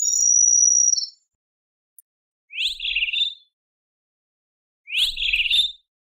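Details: Great kiskadee calling: after a thin, high, steady whistle, two harsh, buzzy notes about a second long each, separated by a short pause, with a faint low thump under the second.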